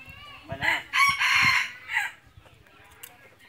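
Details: Red junglefowl decoy bird for hunting crows once, a raspy, segmented call of about one and a half seconds with a drawn-out middle and a short final note, over low thumping and faint background sounds.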